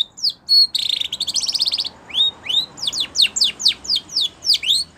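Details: Spanish Timbrado canary singing for canary training, a short whistle, then a loud fast metallic rattle, followed by evenly spaced clear falling whistled notes.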